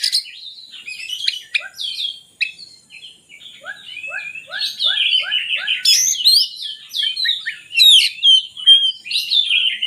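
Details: Oriental magpie-robin song used to lure reluctant birds into singing: busy, varied warbling with a series of six short lower chip notes evenly spaced near the middle, then loud sweeping whistles and sharp high accents.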